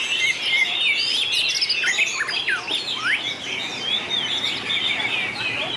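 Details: Singing contest of white-rumped shama: bright slurred whistles and quick chatter give way to a few deep swooping downslurs, then smoother sustained high whistles run on steadily to the end.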